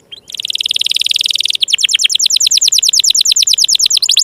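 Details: Canary song used to coax silent, lazy or young canaries into singing: a fast buzzy trill of rapid notes, then a run of repeated sweeping whistled syllables at about three per second.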